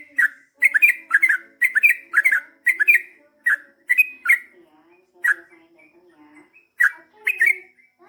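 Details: Yellow-vented bulbul in energetic 'ropel' song meant to prompt replies: a fast opening run of paired bubbly notes, then slower, widely spaced single liquid phrases, with faint soft tones in the gaps.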